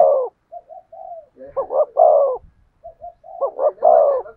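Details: Spotted dove song in the thổ sấm style. Soft, short, level coos lead into louder phrases of stuttered double notes and a long, rich coo, with a few faint low knocks underneath.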